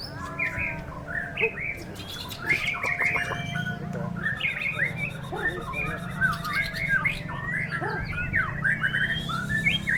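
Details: Strong wind during a singing contest as a white-rumped shama delivers a long, fast medley of warbled, slurred whistles and chips, almost continuous. A soft hum and gusts sit beneath it.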